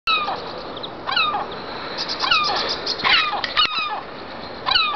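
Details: Seagulls calling on a roof: repeated harsh, descending mewing cries with layered overtones, given in quick bursts of two or three and overlapping one another, over a steady background hiss.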